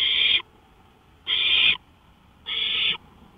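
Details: Porch recording from 1:53 AM on May 5, 2013: an owl utters three coarse, breathy screeches. Each lasts about half a second, and they are spaced roughly 1.2 seconds apart, with faint background noise between them.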